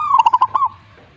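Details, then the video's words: Single zebra dove phrase: five rapid, bouncy coo notes followed by one smoother, longer coo, all at a steady mid pitch. "suhu perkutut jika nyaut Burungmu bagus berarti"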